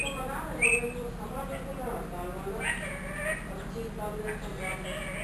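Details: Trained one-year-old ringneck parrot, kept as a pet, mimicking a cat's meow and speech: a sharp, short rising squeak near the start, then several nasal, harmonic, word-like phrases over a steady low room hum.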